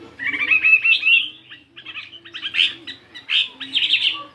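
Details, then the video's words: Morning voice practice by a 72-gram fighting Chinese hwamei: bursts of quick warbled notes separated by short gaps, bright and slightly buzzy. "Tiếng Chim Hoạ Mi Chiến 72gam Hót Đảo Giọng Rất Hay."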